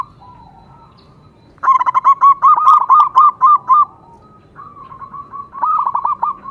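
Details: Loud local zebra dove song, used to rouse male doves and prompt them to sing. A long, crisp burst of repeated short notes, about four a second, follows a faint coo, then a softer trailing phrase.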